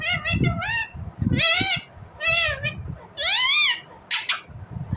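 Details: Loud natural squawking from an Indian ringneck parrot: four drawn-out harsh, harmonic calls that rise and fall, roughly one each second, ending with a short burst, over low rumbling noise.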